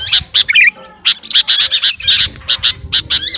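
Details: Rival-calling song of a garuda sooty-headed bulbul: rapid sharp chirps in clusters with a brief gurgling warble early on, then dense chattering notes after a short pause.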